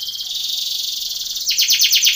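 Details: Belgian canary training song for contests, a steady high buzzy trill that switches into louder rapid repeated sweeping notes.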